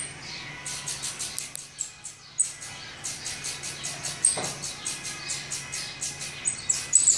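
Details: Saffron finch chicks in the nest being fed, a rapid series of hissing high-pitched begging notes that grow steadier and louder after a brief pause, with occasional thin squeaks and faint hum.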